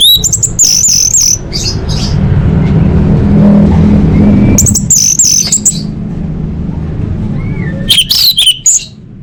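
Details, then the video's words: Orange-headed thrush singing full isian master song for competition training: rich bursts of quick, wavering high whistles and chips, about a second long, repeated roughly every four seconds against a constant deep droning hum. "Masteran Anis Merah Full Isian untuk Lomba Besar & Latber Elite"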